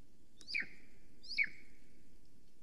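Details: Two loud, shrill, downward-slurred yelps from a female Golden Eagle calling at her nest in Estonia, captured by a live camera on a July 2020 morning, spaced about a second apart over faint background rumble.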